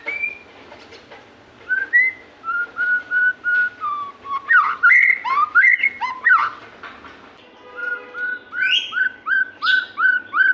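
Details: Lure song of a white-rumped shama for getting captive shamas to sing: spaced single whistles, then a vigorous stretch of quick rising and falling notes, followed by a fast regular string of short upswept whistles.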